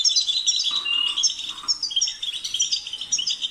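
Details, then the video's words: European goldfinch song, a lively run of tinkling chirps and twitters with a few lower buzzy notes early on. "The sound of the goldfinch's chirping drives the goldfinch crazy"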